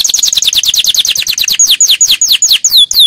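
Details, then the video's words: Canary singing a powerful training song: a rapid run of sharply falling whistled notes, about six per second, then slower, longer sweeping slurs toward the end, loud and clean. "Canary 's most powerful song for training"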